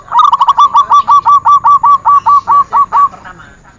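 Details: Zebra dove singing on a training recording: a long rhythmic string of about seventeen short, bright coo notes delivered quickly and evenly for three seconds.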